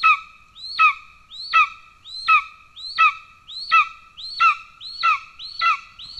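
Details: Golden eagle at its Estonian nest, 17 July 2024, with the father delivering a pigeon to a well-fed chick: nine evenly spaced, ringing calls, each a quick upslur falling into a steady harmonic tone, repeated roughly every 0.7 seconds in near silence.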